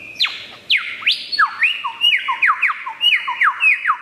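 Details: Mimicking wild superb lyrebird pours out loud, ringing whistles: steep downward swoops, then a rhythmic string of short descending slurs repeated roughly every third of a second.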